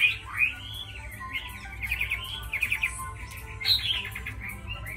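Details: A tame Chinese hwamei kept as a fighting bird gives spaced whistled phrases: an upward slur, a few clear arching whistles, a brief chatter, then a higher sharp note with pauses between.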